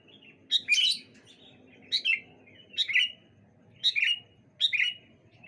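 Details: On a bright morning, sooty-headed bulbuls call back and forth with five evenly spaced bubbly phrases about once a second, each a brief high note dropping into a warbled, downslurred whistle; a faint low hum sits underneath.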